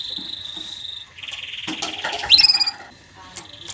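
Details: Canary song for teaching young birds and encouraging mating: a steady high trill shifting into a slightly lower rolling trill, a sharp rising whistle, then a quiet pause and faint notes, with some background noise.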